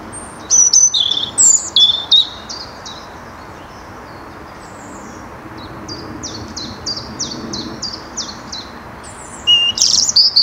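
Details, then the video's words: A European robin in the Netherlands, 2023, gives high, thin, sweet notes in short bursts, then a quick run of repeated piping notes, over a soft low outdoor hum. "Roodborstje - Robin"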